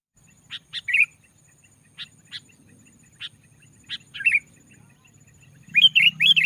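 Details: Sooty-headed bulbul in loud, dense lure song meant to press rivals and provoke other bulbuls into singing; short bright liquid notes in pairs and small clusters, spaced about a second apart, ending in a rapid run of rolling phrases.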